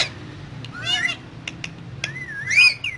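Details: Green parrots in a cage making soft, speech-like warbles and a long wavering whistled note near the end, with faint clicks and low background hum.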